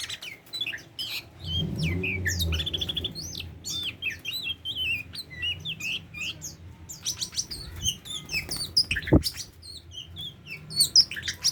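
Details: A tame Oriental magpie-robin delivers a lively mix of sharp chirps, fluty whistles and quick trilled phrases, pausing briefly midway before resuming. A low murmuring noise and a single thump accompany it.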